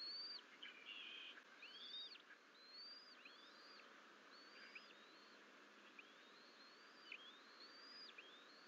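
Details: Eaglet bald eagles at a Fort St Vrain nest on 14 April 2024, the twins left alone and wandering from the nest bowl; a series of high, thin arched whistles, each rising then dropping, repeated about once a second amid steady hum.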